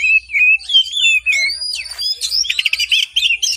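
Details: An Oriental magpie-robin singing energetically in the morning, used as a lure for hesitant singers: varied whistled phrases rising and falling, building into rapid buzzy trills and chattering notes near the end.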